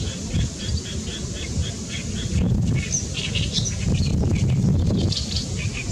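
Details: Great reed warbler singing loudly on 14 May 2021: a run of grating, repeated notes, roughly four per second, then higher squeaky phrases, against constant low rumbling wind.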